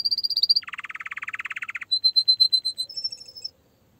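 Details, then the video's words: Canary singing a high rapid trill, then a lower dense buzzy rattle, a series of repeated clear whistled notes, and a thin high sustained trill. "Canary singing"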